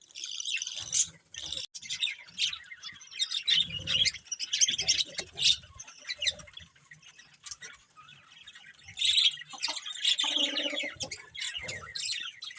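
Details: A group of colourful budgies keeps up a continuous high, busy twittering and warbling chatter, swelling and easing in waves, with scattered sharper chirps and occasional soft low thuds.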